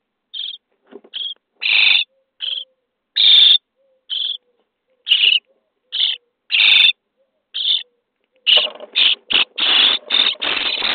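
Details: Common starling nestlings being fed in a nest box on day 23 give harsh, hissy begging bursts at irregular intervals. The bursts become a rapid, crowded run near the end.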